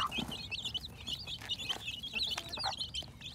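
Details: Spring 2021 hatching chicks giving a nonstop chorus of shrill, quick cheeping notes, several birds at once, with a couple of deeper clucks and low mechanical hum beneath.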